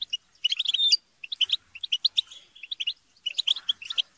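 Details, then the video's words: Group of European goldfinches squabbling and chattering, played to encourage a pet goldfinch to sing; quick twittering notes and one drawn-out whistle early, broken by a short silence, then renewed bright chips. "بتبتة وتستسة وشجار الحسون - اقوى بتبتة جماعية لتحفيز الحسون على التغريد"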